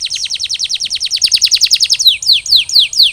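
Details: Canary recovering from molt, singing a fast series of about twenty short downward-slurred notes, slowing into four longer descending whistles spaced evenly.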